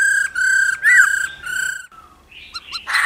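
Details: Female laughingthrush 'ro ro' song meant to stimulate males: sustained level whistles with a brief upward flourish, then a pause filled with faint rustling and a couple of short high notes.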